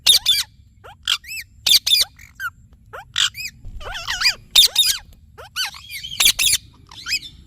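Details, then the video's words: Indian ringneck parrot, kept as a talking parrot, chattering with harsh screechy squawks interleaved with curved whistled chirps and warbling notes in an irregular, busy stream. "Talking Parrot Chirping Sounds"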